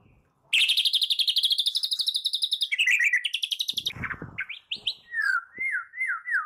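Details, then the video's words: White-rumped shama in morning song, played as a lure to spur other shamas into song: a long, rapid, high trill of sharp repeated notes, falling lower, then separate slurred whistles repeated about every half second. "PANCINGAN MURAI PAGI HARI GACOR FULL KRETEK AUTO RESPON"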